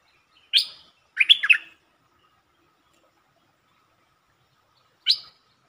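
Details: Streak-eared bulbul song, recorded 13 February 2023 in a set featuring long and doubled song styles: a bright chirp, then a quick cluster of warbled notes, and after a pause one more sharp chirp.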